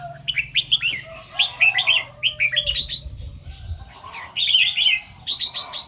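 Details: Red-whiskered bulbul in the morning, singing its doubled 2-3 phrases and 'rik' notes: lively, repeated whistled warbles in near-continuous runs with brief gaps, over a low rumbling background.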